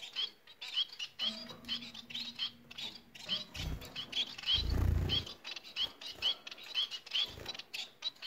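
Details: Bengalese finches sing a rapid, jittery chatter of high squeaky notes repeated steadily; a low steady hum and a brief loud rumble sound partway through.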